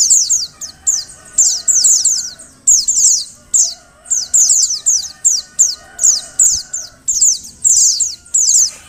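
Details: Female oriental white-eye calling to prompt males to sing: quick bursts of very high, thin, descending twittering notes, repeated roughly every half second to second in lively clusters, with a faint steady hum beneath.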